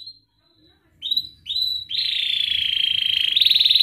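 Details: Canary song for training young canaries: a thin whistle, two rising slurred notes, then a long continuous buzzy rolling trill growing louder, with faint low background noise.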